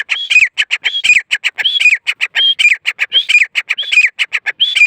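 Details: Grey francolin female giving her call: harsh whistled notes that fall in pitch, each followed by rapid clipped ticks, phrases repeating roughly every second with little pause, no other sounds.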